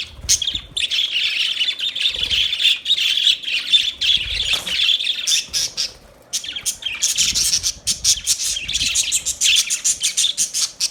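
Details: Budgerigars chirping in a steady stream of buzzy, scratchy warbling, continuous chatter broken by a short pause, then quick clicking chirps toward the end.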